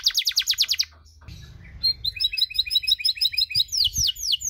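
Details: Long cengkok canary song to excite other canaries: a rapid rising trill, a brief gap with low rumble, then paired high chirps in quick series ending in swept whistles.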